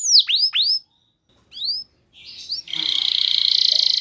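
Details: Canary singing a clear lure song aimed at provoking other canaries: a few loud upswept whistles separated by pauses, then a steady harsh buzzy trill.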